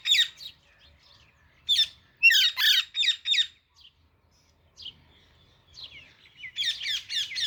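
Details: Young Alexandrine parakeet calling in irregular bursts of scratchy, harmonic squawks, with quiet gaps and a final rapid volley of notes.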